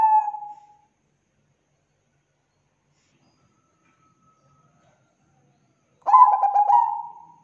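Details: Zebra dove of the Bangkok type (perkutut bangkok), singing actively as a lure to set other doves singing: two rolling, pulsed coos around one low pitch, one at the start and one near the end, with silence between.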